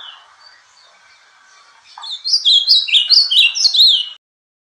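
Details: Azulão, the ultramarine grosbeak, in Bahia-style song: faint background murmur gives way to a loud burst of quick, tumbling whistled notes sweeping up and down, ending abruptly after about two seconds.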